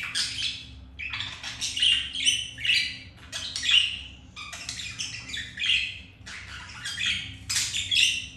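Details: Mating budgies kept as pets, a male with a female after rejection by a white-grey hen; rhythmic warbling phrases of clicking, chirping notes in clusters about every second, low hum throughout.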